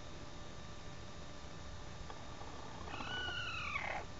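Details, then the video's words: A chicken's odd call, captured on an Android phone: after quiet background, a single arched, whining squawk that rises then slides downward, lasting about a second near the end. "Odd sounds from chicken"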